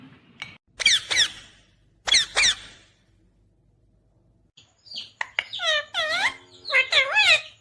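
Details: Indian ringneck parakeet imitating speech: pairs of harsh squawky syllables, a pause, then a run of wavering, bending whistled word-like phrases in a small indoor space.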